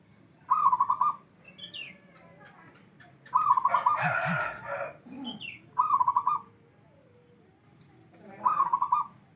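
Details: Local wild-type zebra dove, katurangan 'bedah karang', sings four trilled cooing phrases spaced roughly every two to three seconds. A burst of broadband noise and some brief chirps fall between them.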